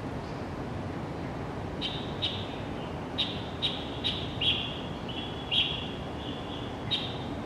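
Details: Pale thrush calling at dawn in January at Xingguo Elementary School, Zhongli District, recorded on a Canon PowerShot SX700 HS: short thin high notes, some sliding into brief drawn-out tones, about eight in quick irregular series over low steady background rumble.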